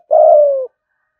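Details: Single drawn-out coo from a caged spotted dove in 'thúc gù' style, a steady low mellow tone that fades and drops slightly at its end, followed by silence.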